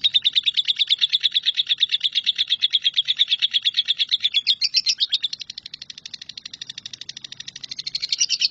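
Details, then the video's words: Lovebird in 'nyambung kuntilanak' song style, a tutor recording for shrikes: an unbroken fast chattering trill, loud and buzzy at first, then softer and slightly lower for a few seconds before rising again near the end. "LOVEBIRD NYAMBUNG KUNTILANAK"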